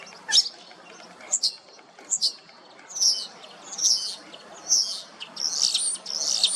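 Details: Male Common Starling in Hrodna city, western Belarus, on a sunny 12 March 2026, singing after following a female on the ground. High, harsh, buzzy bursts and sharp clicks come about once a second, growing longer and denser toward the end.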